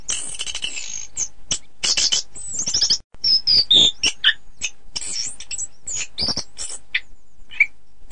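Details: Orange-headed thrush singing, recorded for training birds for song contests: a dense, fast run of varied chirps, high thin whistles and short trills, with a brief silent gap near the middle.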